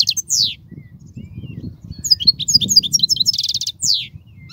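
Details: European goldfinch singing, a song used for tutoring young goldfinches: quick, high, liquid twitters and chirps, a dense buzzy trill near the end, then a downward slurred note, over a faint low hum.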